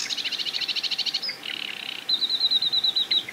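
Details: Sedge Warbler singing from a treetop at a marsh edge beside a reedbed: a fast buzzy trill of paired notes, a brief grating chatter, then a rapid run of thin, high, repeated whistled notes.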